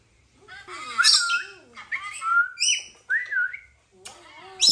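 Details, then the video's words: Pet rainbow lorikeet at play, giving a string of warbling, speech-like notes that bend up and down, with short squeaky whistles rising between them and brief pauses. "Lorikeet Parrot Sound"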